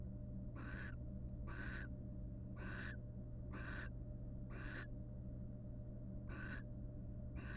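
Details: Pair of wild barn owls in a monitored nest box, preening each other in courtship; seven rasping breathy screeches at roughly one-second intervals, slightly longer gap before the last ones, constant low hum.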